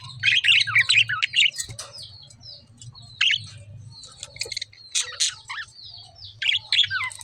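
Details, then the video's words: Lovebirds chirp in loud, sharp bursts of squeaky notes, with whistled slurred tones between the bursts, over a faint low hum. "lovebird chirping sound"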